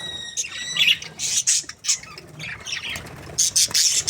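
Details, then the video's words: Two budgerigars, a happy breeding pair, opening with a clear whistled note, then short separated squawky chirps and buzzy bursts, ending in a louder run of harsh chatter. "Happy budgies chirping sounds | parakeet breeding pair"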